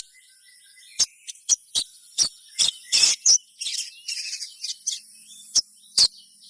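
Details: Sogon song used to get other sogons singing: scattered sharp, very high chirps, single or in short clusters, with a steady thin high hiss in the background.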